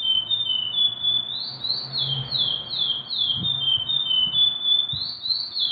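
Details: Sweet whistled song of a curió: a level note, then a series of quick down-slurred whistles, and the phrase beginning again near the end, with faint low thumps behind.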